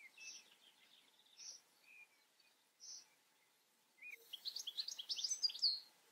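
A European goldfinch gives a few scattered high, thin notes, then a fast, liquid, tinkling twitter for the last two seconds, over faint background hiss.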